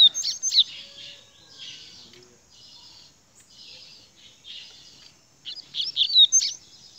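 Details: Rusty-collared seedeater giving high, sharp chirps and thin whistled notes, loudest at the opening and again in a quick cluster near the close, with softer buzzy phrases in between.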